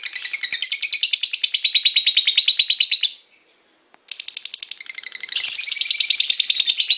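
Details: Lovebird in rapid ngekek chatter, used to coax other lovebirds into singing: a fast buzzy trill runs for three seconds, breaks off for about a second, then resumes louder and harsher.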